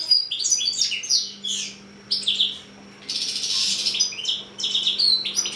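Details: Six-month-old goldfinch and canary cross delivering a lively high-pitched song of rapid chirps and slurs, then a quiet gap and a harsh buzzy trill before more twittering; a faint steady hum underneath.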